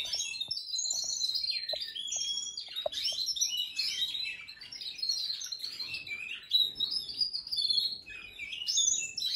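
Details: Several canaries sing continuously in a canary room, with bright, rapid warbles and high twittering trills overlapping without pauses; one bird is only four months old.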